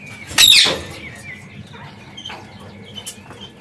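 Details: Caged parakeets, free inside their aviary, give one loud harsh broadband squawk near the start, then a few faint, thin chirps over a quiet background.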